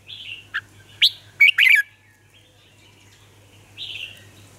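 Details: Caged Red-whiskered bulbul used as a lure singer for training: a soft warble, then quick loud whistled notes bunched into a rapid tumbling phrase, later a fainter warbling trill, with a steady low hum underneath.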